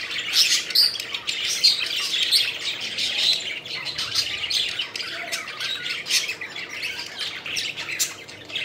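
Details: A group of pet budgies chirping happily while playing and flying, a long stretch of dense, scratchy, buzzy chatter with overlapping squeaks and warbles, steady throughout.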